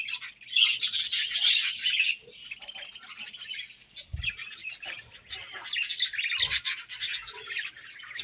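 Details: Budgerigars kept as pets chirp and warble steadily as they eat a favorite food, a loud chattering burst at the start then quieter continuous twittering, punctuated by a few low thuds.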